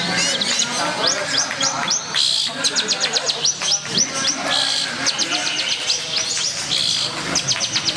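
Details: Long-tailed shrike placed on the floor at a songbird contest in Banyumas, 15 January 2017, singing its fill songs on the way to a double win. Rapid bursts of high, sharp chirps and trills, with voices talking underneath.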